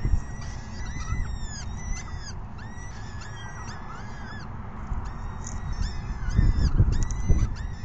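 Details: Evening feeding at 6 PM, May 14, 2021: peregrine falcon chicks keep up a rapid chorus of high, rasping squeals, bent and slurred, over low rumbling noise that swells near the end.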